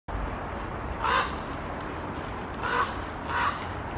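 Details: A Common Raven flying over Helsinki, Finland, in September 2021 gives three harsh, hoarse croaks spaced unevenly over a few seconds, against a steady low rumble of wind or distant noise.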